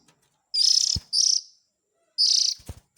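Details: Oriental magpie-robin chick calls for luring adult birds: two harsh buzzy bursts close together, then a third after a pause, with soft low knocks around them.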